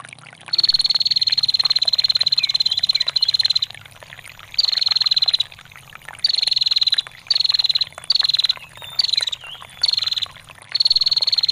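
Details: Long ngetir calling of a female bar-winged prinia, meant for tutoring songbirds, with trickling water: eight bursts of fast, high, dry ticking trill of varying length, the longest about three seconds, separated by short pauses, over soft water noise.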